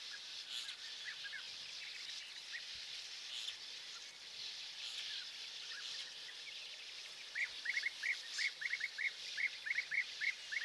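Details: Early-morning European bee-eaters in Hungary, 10 May 2024, around perches also used by sand martins and a starling: faint scattered chirps at first, then a loud run of clipped, rolling notes repeated about three per second near the end.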